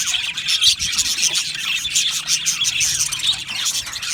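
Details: Short burst of aviary budgerigar chatter, many birds chirping and warbling together in a dense unbroken chorus.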